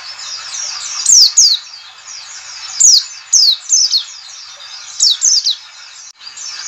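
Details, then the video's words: A white-eye, played as a lure call to get other white-eyes singing, gives a fast, continuous high chatter broken by loud, sharp down-slurred whistles in twos and threes every second or two. "CALL CALL NGALAS cepat memancing PLECI BUKA PARUH"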